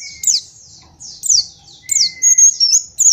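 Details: White-eye master song for young birds, with sharp downward-sweeping high notes repeated about every second over a long low steady whistle, then a level warbled tone and a final chirp.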